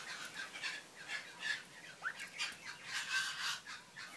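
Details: Two juvenile one-year-old Lady Amherst's pheasants in a small urban aviary planted with bamboo and cypress in Melbourne, Australia; soft, hoarse, breathy notes repeat roughly every half second, with faint scratching and rustling between them.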